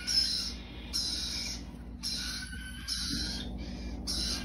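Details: Young hand-raised cockatiels in a breeder's care, alongside lorikeets and a green-cheeked conure; rough, breathy wheezing calls come in repeated bursts roughly once a second, with a faint constant background drone.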